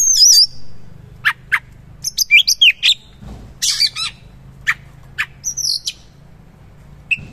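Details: Oriental magpie-robin giving varied 'isian mewah' fill-in song: scattered sharp chips, a high warbled phrase, scratchy buzzes and thin whistles spaced irregularly, with a soft low background hum.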